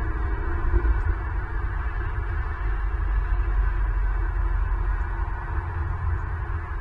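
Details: Steady low rumble and hum fill the recording, with a faint broadband hiss above and no distinct animal calls.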